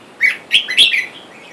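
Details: Red-whiskered bulbul near a caged male-female pair, with wild birds outside calling for a mate; three loud, liquid chirped notes in quick succession, rising and falling between mid and high pitch, ending in a short trailing twitter.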